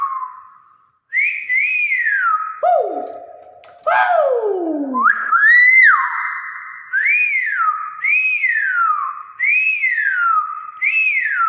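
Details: Talking common hill myna producing a run of clear whistles: swooping falling notes, a few deeper descending slurs, then a steady series of rise-and-fall whistles repeated roughly every second and a half, loud and indoors.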